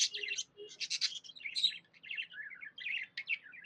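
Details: Happy budgie chattering: fast warbling, scratchy chirps and buzzy notes run together without pause, with faint low background murmur.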